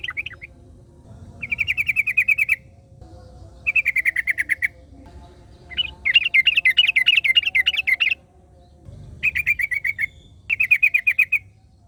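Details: Yellow-vented bulbul singing in the wild, answered by a second bulbul: five separate bursts of fast, clipped repeated notes, with a denser, bubblier middle burst and short gaps between them.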